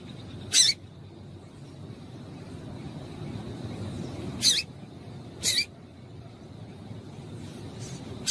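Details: Female double-collared seedeater giving calls meant to excite males: three brief, bright, high-pitched chips, the first alone, the last two about a second apart, with a soft steady background hum.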